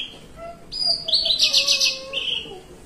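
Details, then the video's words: A kept Javan bushlark sitting relaxed gives a 'melung panjang' phrase: a faint whistle, then a loud, high, rich trilled burst lasting about a second that falls into a softer whistle, over a low hum. "BRANJANGAN MELUNG PANJANG"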